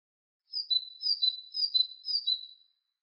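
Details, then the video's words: Great tit (Parus major) singing four quick two-note phrases, a high whistle dropping to a slightly lower one, repeated about twice per second in a clean, quiet recording. "Great Tit, Parus major, birds, SOUND EFFECT"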